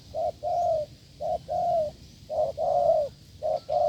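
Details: Wild field spotted dove cooing strongly during a decoy trial: short clipped hoot followed by a longer, slightly wavering coo, the pair repeated three times in a few seconds, close and loud.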